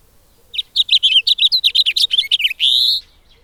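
A finch sings a quick, high, warbling run of about a dozen varied notes over two seconds, ending in a drawn-out buzzy note.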